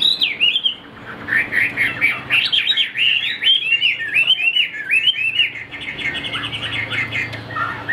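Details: Rapid, varied song from a caged Chinese hwamei in Vietnam: an opening whistle, then fast zigzagging clear notes in continuous runs, with a brief lower slurred phrase near the end.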